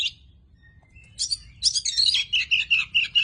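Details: Tame Oriental magpie-robin singing: after a short quiet gap, a burst of rich, varied high warbling and chattering phrases, then a string of rapid repeated sweet whistled notes, about two or three per second.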